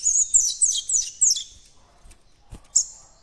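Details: Young captive White-throated Seedeater starting to develop its song in the encarte style: a run of rapid, high twittered notes sliding downward for about a second and a half, then a quiet gap, a soft click and one bright whistled note.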